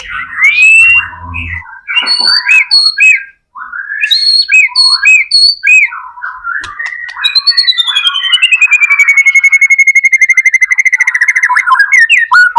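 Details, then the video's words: Varied song of a white-rumped shama: mixed chattering and whistled phrases, then a long, pure whistle sliding slowly downward while a fast rattling trill runs beneath it. "MURAI BATU GACOR AMPUH BUAT PANCINGAN MURAI BATU AGAR CEPAT BUNYI"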